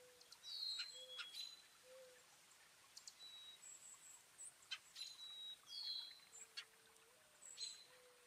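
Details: Garden birds at feeders in New Jersey, northeast USA, on a partly cloudy 36–50°F day of a 4.8 magnitude earthquake, 5 April 2024: sharp high chirps and short downslurred whistles scattered throughout, with a steady low hum underneath.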